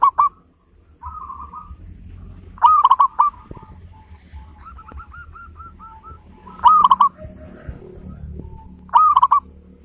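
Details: Big-voiced local zebra dove, used as a lure to get other doves singing: loud quick bursts of rattling coos a few seconds apart, with a fainter series of evenly spaced notes and low background hum between them.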